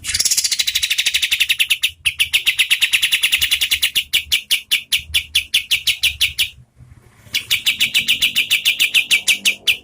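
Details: Oriental white-eye (kapas tembak) giving a lively medium-speed song meant to tutor competition birds. A nearly continuous rattle of sharp, high chirps runs at about six notes per second, with one short gap before the run resumes.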